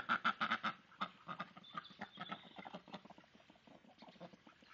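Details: Domestic ducks in a flock, where mother and daughter females wrestle for dominance while drakes mate with the dominant female and females incite against an unwanted drake, give a rapid burst of loud, harsh quacks, then softer irregular quacking.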